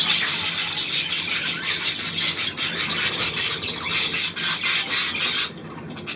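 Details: Budgerigars on 9 February 2024 give grating, rasping chatter in fast regular pulses, a steady scratchy warble that drops away abruptly near the end.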